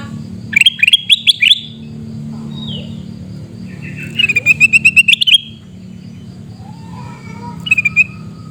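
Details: Shrieking calls of a sooty-headed bulbul in Pidie, Aceh, Indonesia: two fast rattling runs of bright, clipped notes, each about a second long, separated by quieter soft notes, with steady low background noise.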